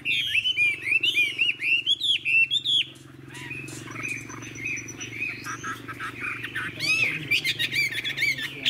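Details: Chinese hwamei, old and wild-caught, fig-leaf-tailed and long-bodied, singing: rapid repeated upslurred whistles, a softer stretch over a steady low hum, then sharp chips and bright sweeping notes.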